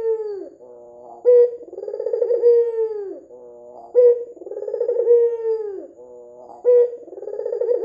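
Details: Red-eyed white dove cooing steadily as a lure to get other doves to call. Each phrase opens with an abrupt higher note and slides into a long vibrating coo that sags at the end. Repeats roughly three times in eight seconds.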